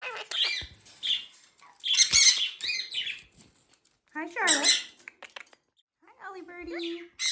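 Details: Quaker parrots kept indoors as pets while building a nest, harsh squawks and speech-like chattering in short bursts with pauses, a person talking to them in a small room.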